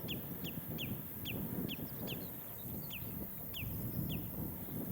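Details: Common redshank, identified by app, heard on a breezy, sunny 1/7/26 walk from Burnham-on-Crouch to Hockley, Essex: around twelve clipped, high, descending piping notes repeated at a fairly even pace, with low wind roar beneath.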